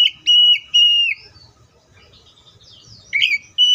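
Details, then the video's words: Clear, steady whistled notes from an Oriental magpie-robin, each dipping at the end. A brief pause follows, then a scratchy chirped burst and another steady whistle. "THIS COPSYCHUS SAUCARIS BIRD IS POWERFUL TO MAKE YOUR OPPONENT'S EMOTIONS!"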